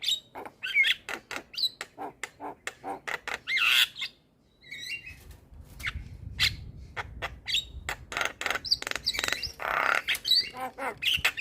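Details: Black-winged myna song used as a tutor recording to prompt quiet mynas to sing: a dense run of harsh squawks, clicks and short whistled notes in quick succession, with a brief pause near the middle.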